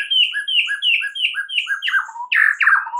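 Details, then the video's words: White-rumped shama singing at dawn to spur a silent bird: a rapid, rhythmic series of paired descending whistles, about five per second, ending in louder, rough, scratchy notes. "mUrai MACET jadi NYAUT GACOR di PAGI HARI"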